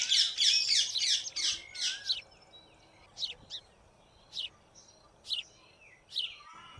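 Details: A white-throated fantail building its nest gives a rapid series of high, thin squeaky notes, dense at first, then spaced chirps about once a second.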